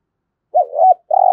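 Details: Spotted dove, a decoy bird trained daily, in 'thúc gù' cooing: two short low looping notes followed by the start of a long steady coo that is cut off.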